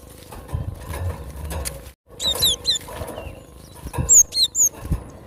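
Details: Cinereous tit recorded in the wild, giving two bursts of sharp, high, down-slurred whistles in rapid couplets, separated by rustling and low background noise.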